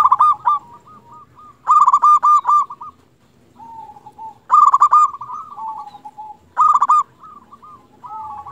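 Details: Local zebra dove, a lure bird for making other zebra doves sing back, gives three loud bursts of rapid bubbling coos, spaced a couple of seconds apart, linked by softer wavering notes and a lower purring phrase.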